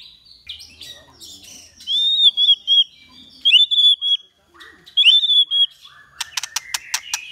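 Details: White-rumped shama song for training caged birds: clear whistled wavering phrases repeated about three times, followed by a fast series of sharp clicks.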